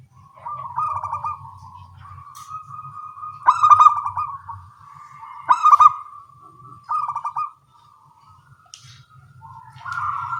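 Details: Morning exchange of small-voiced local zebra doves: repeated rolling coo phrases roughly every two seconds, each with a sharper stuttering burst, continuous soft trilling between, and a faint low hum.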